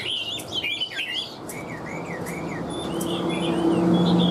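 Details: Short run of Hwamei song from a caged fig-leaf-tailed bird: bouncy looping whistles, then evenly spaced arching notes repeated about twice a second, with a low hum growing louder toward the end.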